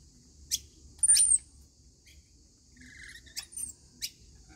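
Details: Rainbow lorikeets during their daily feeding give a few sharp, high chips and one drawn-out shrill whistle, separated by brief quiet gaps.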